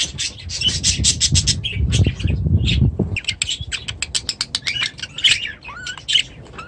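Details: Budgerigars in an aviary, giving scattered sharp chirps and short squawks with a few rising whistled notes, over low thumping and wing-flapping that fills the first three seconds.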